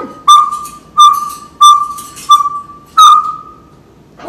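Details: Captive African grey parrot indoors imitating sound effects: five steady whistled beeps on one pitch, each starting with a click, about one every 0.7 seconds, the last held longest.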